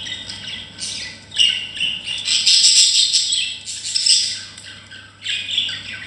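Budgerigars chatter with rapid, scratchy warbles and sharp chirps in continuous bursts.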